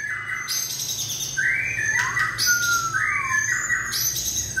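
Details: White-rumped shama in peak form, 2020 season, giving long, drawn-out whistled slides, some falling steeply, mixed with brief high notes; a low hum runs underneath.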